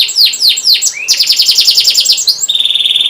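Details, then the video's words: Canary in full song, a lure recording for training young canaries to sing: fast repeated downward-sweeping chirps, then a rapid buzzy trill of rising notes, ending on a steady high rattling trill. "Kenari gacor panjang cuit cuit,pancingan kenari paud AGAR Bunyi"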